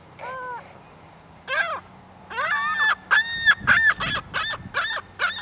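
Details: Agitated gull at Lac La Biche, Alberta, Canada, furious over a french fry; a short two-note cry, then rapid repeated harsh nasal yelps with rich harmonics, about three per second, faint low rumble beneath.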